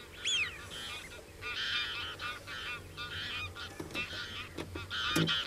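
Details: Common cranes bugling: a rising, sliding call opens, then a run of loud, harsh, harmonic trumpeting notes repeats with brief gaps, and several birds overlap.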